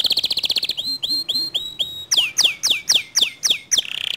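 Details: Canary song that often provokes other canaries to sing: a fast even trill of clipped notes, then four pure whistled notes, then a run of loud downward-swept chirps repeated about every quarter second, ending in a buzzy burst.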